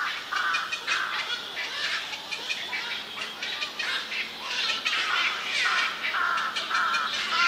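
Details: Lively juvenile black-crowned night herons in a cormorant and heron colony on a bird island where Yokojukken Shinsui Park meets Sendaiborigawa Park, 1 June 2023: harsh, raspy squawks repeated in irregular bursts, several birds overlapping over steady colony chatter.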